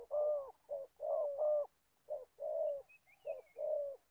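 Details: Old decoy spotted dove used for trapping wild doves in Gia Lai, cooing in a steady series: low, hollow two-part phrases, a short note followed by a longer one, with a faint high chirp from another bird.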